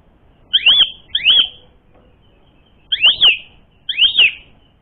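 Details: Asian pied starling, recording used as a lure to provoke fighting: four loud, ringing, down-slurred whistles, in two pairs separated by a pause of about a second and a half.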